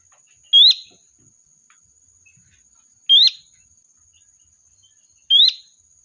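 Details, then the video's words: Three clear upward-sweeping whistles from a sooty-headed bulbul, a spirited lure for calling the flock, spaced two to three seconds apart above a faint continuous high tone. "Suara Burung Kutilang Gacor, Pikat handal memanggil kawanan"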